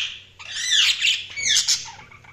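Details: Budgie warbling in a continuous, wavering high chatter of squeaky, rasping notes with rising and falling pitch, over a faint low hum.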